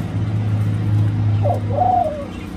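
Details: Hybrid of Senegal dove and ringneck dove at its nest in Thailand, giving one short note and a longer falling coo late in the clip, partly masked by a loud low rumble throughout.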